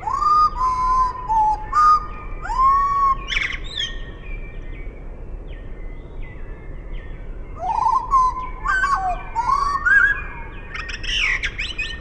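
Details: Common blackbird (Turdus merula) song slowed to half speed: deep, mellow fluted phrases sliding up and down, each ending in thin twitters, in two bursts, over a low steady rumble.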